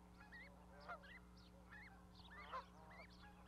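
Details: Goose goslings with a parent on an osprey nest platform in Charlo, Montana, May 12, 2020; a few arched, honking calls rise and fall at irregular intervals over a steady low hum.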